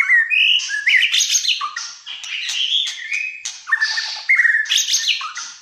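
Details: Malaysian white-rumped shama singing gacor fighter style, pouring out a rapid varied run of rich whistles, upward slides and scratchy high notes with scarcely a pause.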